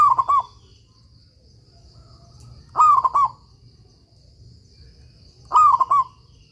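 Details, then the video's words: Actively singing local zebra dove, kept as a training master for other doves: three repeated coo phrases about every two and a half seconds, each a drawn-out coo then three short bouncing notes, with a constant high hum and low rumble. "suara perkutut lokal gacor"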